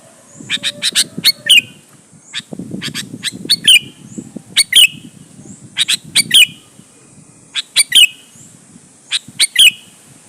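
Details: Sooty-headed bulbul song played to provoke other bulbuls to answer and sing: short sharp chirps in bursts, each group ending in a bright downslurred whistled note, repeated every couple of seconds over a low rumbling background.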